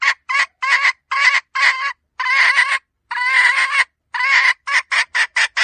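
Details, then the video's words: Hen red junglefowl used for luring: rough clucks mixed with two longer drawn-out calls, closing in a quickening burst of short, clipped notes. "เสียงไก่ป่าตัวเมียสำลับต่อ,suab poj qaib qus seev cuab tuaj zoo heev li"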